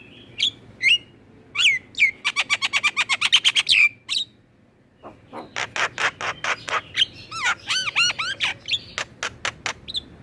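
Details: Black-winged myna song used to prompt captive birds into singing: downslurred whistles, a fast rattling series of clipped notes, a brief silence, then a varied run of sharp notes and looping whistled phrases.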